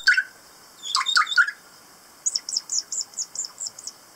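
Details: A kaka, a native parrot of Stewart Island off New Zealand's South Island, gives a few squawky notes, then a rapid string of seven thin, high, down-slurred piping notes spread over about one and a half seconds.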